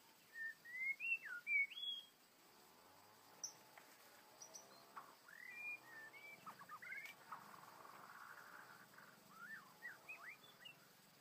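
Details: In the wild, a trapped, angry white-rumped shama opens with loud, rising whistled notes, then continues with scattered softer chirps and warbles over a faint buzzing hum.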